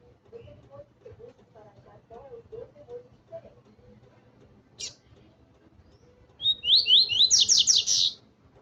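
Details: Double-collared seedeater excited by a loose female, bursting into a fast, high series of sharp, buzzy notes for about two seconds after a single high chip; faint low murmuring comes first.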